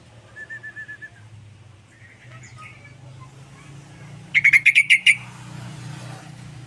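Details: Sooty-headed bulbul, singing actively: a soft row of whistled notes first, a few faint calls, then a loud burst of seven rapid bubbly chirps, over a low continuous hum.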